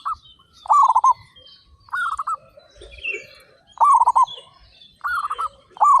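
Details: Loud, actively singing local zebra doves in a group of thirty-five. Beaded, trilling coo phrases from several birds follow each other about every second, with scattered high chirps from other birds.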